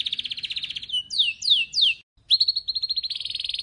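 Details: A Syrian canary sings a bright high trill, then three quick descending swept whistles, a brief pause, and a fast rolling trill at steady pitch.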